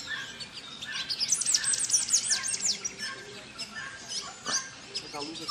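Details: Orange-cheeked parrots at Jardim da Amazônia, Mato Grosso, Brazil, 14 June 2024, give a burst of shrill, squeaky chattering notes, then scattered sharp calls, with a faint rural background hiss.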